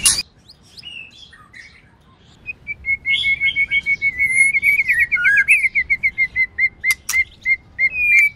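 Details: White-rumped shama female, singing to excite males in training: after a quiet start, a fast run of repeated bright whistled notes at a steady pitch, broken by a few brief dips and high sharp notes.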